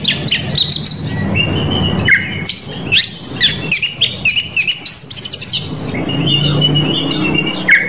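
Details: Magpie-robin singing a rich medley meant to provoke rival males. Rapid bright whistles, upslurred and downslurred notes and clipped chips pour out almost without pause, with a faint low rumble underneath.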